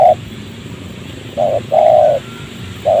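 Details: Spotted dove cooing in a rubber garden near houses while a wild bird responds to a decoy during trapping; short clipped notes alternate with a longer, throaty coo, all low and steady in pitch.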